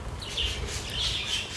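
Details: Captive budgerigars at Gatorland, Florida, singing the little tunes they use to talk to each other: soft, high chirping warbles in short bursts over a steady background hiss.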